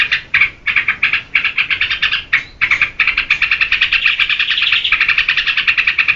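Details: Vigorous song of a yellow-vented bulbul, meant for luring and tutoring cage birds: rapid chattering notes in short bursts separated by tiny gaps, then merging into an unbroken fast trill.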